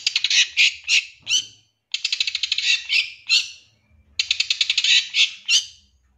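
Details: Long-tailed shrike lure recording from a 2023 champion bird, played to make shrikes sing fast and grow agitated: three bursts of rapid, harsh, stuttering notes, each run rattling quickly before a louder final rasp, separated by short pauses.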